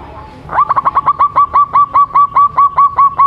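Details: Young local zebra dove with a 'suara panjang', long-voiced song: after a faint start, a rapid, even string of bright, clipped notes repeated about twice a second, over a low background hum.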